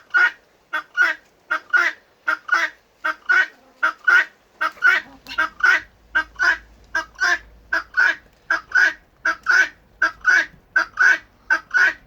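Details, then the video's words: Urban-kept helmeted guineafowl chatter in harsh, rapid two-part calls repeated at a steady pace; normally their loudest, though their alarm call is much louder. "So I won't deny, guinea fowl are chatty, but that really, what you just heard, is the loudest they're going to get normally."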